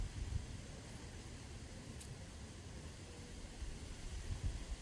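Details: Quiet low rumble and faint hiss of background noise throughout, with no animal calls heard.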